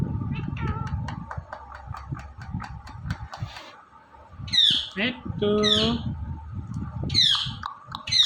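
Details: Talking Indian ringneck parrot, which is also dancing, gives a quick string of short clicks and syllables, then loud nasal speech-like phrases and harsh downslurred squawks, with low household noise underneath.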